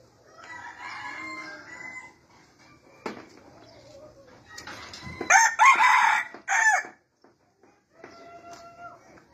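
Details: A yellow decoy red junglefowl rooster gives a harsh, clipped crow that swells to a loud, ragged peak and cuts off abruptly, with softer clucking notes before and after.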